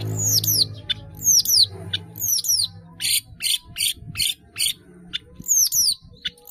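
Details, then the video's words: Long-tailed shrike (cendet), kept caged in Indonesia, in a chatty 'gacor' song with varied fill-ins (isian) used for training: high thin down-slurred whistles in pairs, alternating with rough buzzy bursts about once a second. "CENDET GACOR ISIAN BANYAK"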